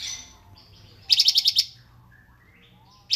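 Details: Cungkok, song with dense phrases and pauses for cage-bird tutoring: a short burst of six quick high buzzy pulses, then quiet thin whistles, and another burst starting at the end.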